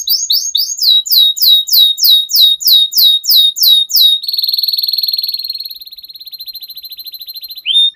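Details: Canary singing a lively, drawn-out song: about four seconds of loud, evenly spaced downslurred chirps, then a long, thin, buzzy trill that fades lower before a sharp rising note closes the phrase.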